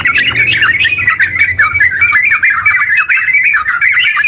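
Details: Caged yellow-vented bulbul singing vigorously to stimulate other bulbuls; a quick run of warbled, swooping notes with a few clearer whistled tones, delivered in a steady torrent.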